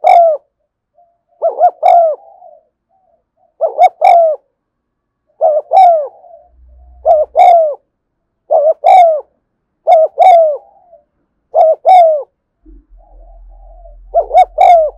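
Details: Long run of spotted dove 'thúc gù' cooing recorded in the afternoon: about ten double-note phrases, a clipped note followed by a drawn-out descending coo, repeated every second or so, with a low hum entering near the end.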